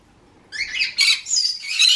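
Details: Green-cheeked conure kept as a pet indoors giving its flock contact call, used to reach flock members or the owner, or when over-excited or wanting attention; harsh, buzzy two-part squawks in three bursts over about one and a half seconds.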